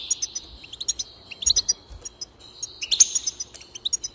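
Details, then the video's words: A goldfinch song for stimulating a goldfinch to sing: a jumble of high chirps and twitters ending in a prolonged buzzy trill, with quick tinkling notes at the close. "increase the enthusiasm of the goldfinch and encourage it to song"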